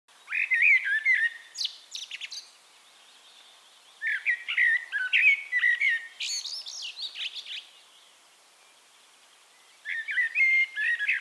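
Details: Eurasian blackbird singing in Castricum, the Netherlands: three mellow, fluting phrases with warbled notes, each ending in higher squeaky twitters, separated by pauses of about two seconds.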